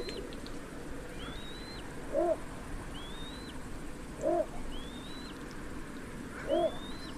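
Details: Little bittern uttering deep, short woof-like notes, three evenly spaced about two seconds apart, while another bird's slurred high whistle repeats four times over a quiet hiss.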